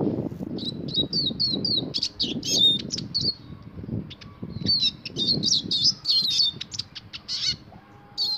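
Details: Caged European serin singing to stimulate a female to mate: rapid, high, jingling twitters in fast buzzy bursts with short pauses, over a steady low rumbling background noise.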